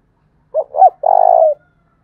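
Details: Spotted dove giving a 'thúc bổi' style lure call used to attract wild doves, its voice described as 'thổ đồng': two short low coos and then a longer drawn-out coo, in a quiet setting.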